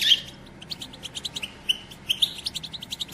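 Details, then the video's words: European goldfinch, described as a female, in a batbata used to prompt males to sing: short bright high chirps and clipped notes spaced through the recording, with a clearer sharp note at the start. "بتبتة أنثى الحسون"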